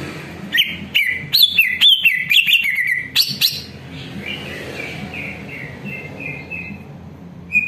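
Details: Greater green leafbird song used as a lure to warm up other leafbirds so they answer and sing: a burst of loud, sharp whistled notes and chirps jumping up and down, then softer drawn-out whistles fading in a series.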